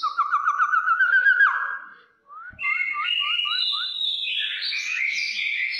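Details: Brown oriole in aggressive singing style: a rapid trill of repeated rising whistled notes, a brief pause, then a series of short upslurred whistles leading into a loud, rich, buzzy warbling phrase.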